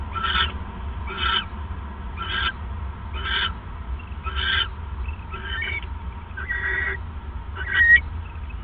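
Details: Owl calling at night on 28 December 2014, around 9:42 PM, as the male brings a third mouse: a series of short raspy, hoarse bursts repeated about once a second, over steady low hum.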